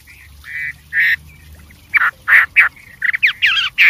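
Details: Wild white-rumped shama singing a richly varied song: loud, harsh, squawky notes in short bursts, then a quick run of slurred, whistled phrases, over faint low background rumble.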